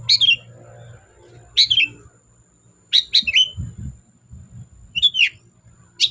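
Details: Long-tailed shrike singing as a lure to make silent birds sing: widely spaced bursts of high, sharp, downslurred chirps, sometimes doubled or tripled, separated by pauses, with soft low rumbling noise in between.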